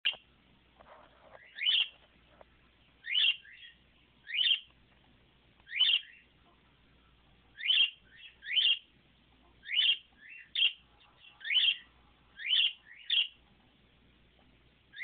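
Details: A male pet budgerigar perched atop a computer gives bright, high chirps, singly or in quick pairs, about once a second.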